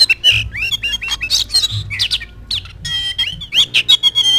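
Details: Kacer, the magpie robin, singing a lure and tutor song: rich mix of sweeping whistled notes, rasping churrs and sharp chips, fast-changing phrases with steady trills late in the sequence, faint low hum beneath.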